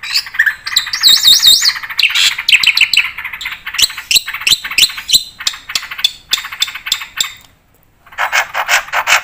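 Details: Black-winged starling delivering a lively, varied song full of inserted phrases: wavering high whistles, scratchy chatter and clicking notes in irregular bursts, a pause, then a harsh burst at the end.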